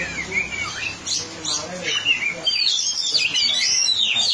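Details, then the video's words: Kacer, the oriental magpie-robin, in strong song on the track: a few rising and falling whistled notes, then a loud burst of rapid, high, twisting phrases over the last two seconds, with low background voices. "kacer gacor sedang di trek"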